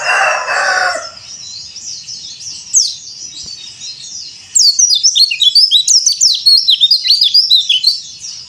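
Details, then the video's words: Pleci dakbal, the Bali yellow-breasted white-eye, sings in the cor dor style meant for training other white-eyes. A brief noisy burst opens, then a faint note, then a dense run of high, quick, jumbled twitters. "PLECI DAKBAL COR DOR ‼️ Cocok Buat Terapi Pleci Bahan Mu"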